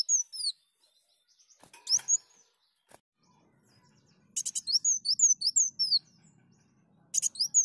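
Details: Sunbird song from a lure recording: a brief burst of high, thin, downslurred whistles with sharp buzzy ticks, then quiet with scattered clicks before a closing snatch of song.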